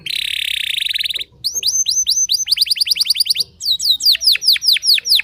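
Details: Singing canary in full song said to unsettle rival canaries: a fast buzzy trill, then rapid repeated downslurred whistles in quick runs, bright and high, about two and a half notes per second.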